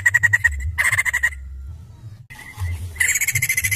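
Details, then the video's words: White-crested laughingthrush singing hard, short runs of quick, harsh repeated notes, a pause with faint low sounds, then another burst of fast chattering. "Gacor nya Poksay Jambul Ini"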